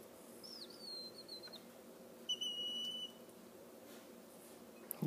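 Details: Fostered baby Mississippi kite in Oklahoma, rescued after falling from a tree in intense heat, begging while hand-fed: two thin, high whistles, the first sliding slightly downward, the second steady, about a second apart in a quiet room.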